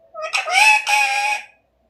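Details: Pet parrot imitating its owner's words with a harsh, nasal, voice-like utterance of about one and a quarter seconds in two drawn-out parts. A person speaking Hindi is heard just before and after.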